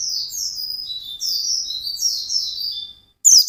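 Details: White-eye in full, intense song, a continuous stream of high slurred warbling notes rising and falling without pause, ending with a brief gap and a sharp chirp.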